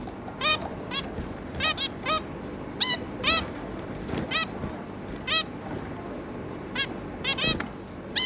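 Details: Zebra finch adults and three juvenile young, 11 May 2022, calling steadily with repeated short nasal beeps every half second or so, a fairly even chatter across the clip with a low hum behind.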